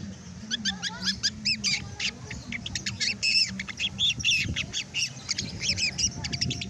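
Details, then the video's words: Long-tailed shrike of the trotol type with fine plumage, actively chattering (ngeriwik) with its base fill-in material clearly heard: a dense run of quick, harsh, varied notes and squawks with rapid looping phrases, over a steady low hum. "CENDET TROTOL BULU HALUS © Ngeriwik aktif dasar isian Nampak Jelas"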